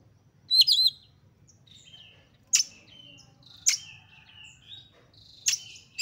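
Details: Highly excited Oriental magpie-robin, heard to make other magpie-robins sing: a short high whistled flourish, then sharp snapping notes, each trailed by a faint drawn-out whistle, against quiet low background hum.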